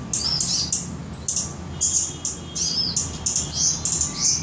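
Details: Samarinda, Indonesia: a flowerpecker called cabai gunung gives high, squeaky chips and arched thin whistles in quick bursts, with a faint steady tone in the background.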